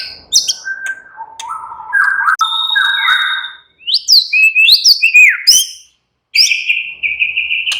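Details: White-rumped shama (murai batu) giving a relaxed, varied song: low whistled notes stepping upward, then quick rising and falling high whistles, a brief silence, and a long steady whistled note.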